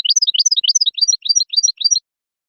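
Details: European goldfinch song for young birds to copy: a two-second run of quick, bright, rolling doubled notes repeated in a steady rippling pattern, then silence.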